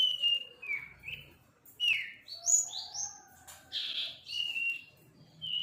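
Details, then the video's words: Juvenile sirpu bird learning to sing, producing a quick run of varied high whistles and chirps, some sliding down and some rising, with brief gaps between phrases over quiet background. "Sirpu belajar bunyi"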